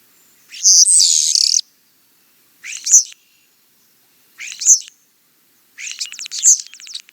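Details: European starling song in separate bursts: a loud harsh buzzy squeal, then shorter squeaky chirps and a clicking rattle, spaced by gaps of about a second.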